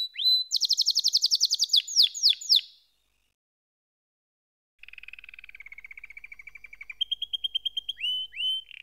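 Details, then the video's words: Canary song: a fast, bright trill of high rising-and-falling notes, then a few sweeping slurs, a pause of about two seconds, then a lower rapid rattling roll and a steady higher trilled tour ending in upward whistled slurs. "Canary SINGING Like a Pro with Proven Tone Techniques!"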